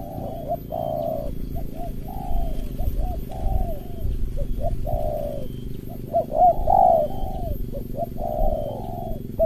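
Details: Competing spotted doves, a lure bird against an opponent, with tight 'rapat ngeruk' calling; many overlapping coos, some falling and some short clipped notes, run continuously through the recording over steady low noise.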